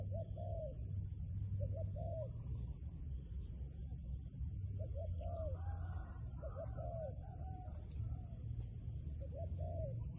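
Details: Cooing of a wild dove during trapping. Repeated groups of short arched notes and a longer slurred coo recur every few seconds against heavy low-frequency noise and a steady high-pitched tone.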